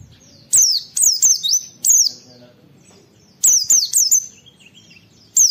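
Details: Oriental white-eye recording of the "wit wit" phrase used to train and rouse other white-eyes; bright, sharp descending whistles in fast runs of three or four, pauses of about a second between runs.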